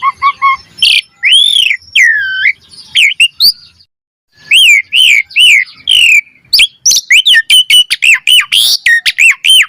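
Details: Asian pied starling singing hard with many variations, a lure for training: looping slurred whistles, a short silence, then a fast run of repeated arched chirps.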